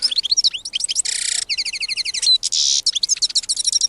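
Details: Wild European goldfinch singing a rapid, jumbled twittering song of bright chirps and short whistles, broken by two harsh buzzy wheezes, all high-pitched and continuous over nearly four seconds.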